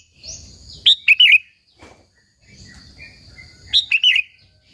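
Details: Sooty-headed bulbul singing actively, played to attract and provoke rival bulbuls. Two short rich, warbling phrases of quick rising and falling notes about three seconds apart, with faint fainter chirps between.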